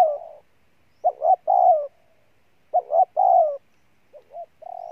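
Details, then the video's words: Spotted dove, wild-caught, in a strong cooing bout. Phrases repeat roughly every one and a half seconds, each a quick two-note lead-in and a longer falling coo. A softer partial phrase closes the clip. "Con Bổi Gù Trâu Bò nhất năm"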